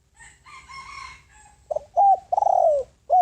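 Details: Spotted dove lure bird calling to wild doves: a rooster crows first, then the dove gives a cooing phrase of short coos, a long falling coo and a final clipped note.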